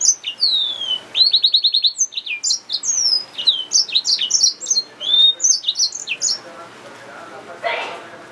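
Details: Hybrid finch, a yellow-fronted canary mule, delivers a continuous varied song of high whistled notes, fast buzzy trills and descending slurs for about seven seconds, ending with a short noisy thump.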